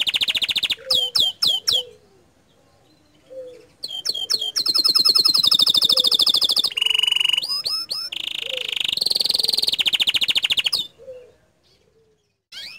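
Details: Bottle-green canary singing its 'tembakan' (shooting) song, said to rile other canaries: rapid rolling trills and sharp upswept notes alternate with buzzy, sustained rattles, dense and loud, broken by short pauses.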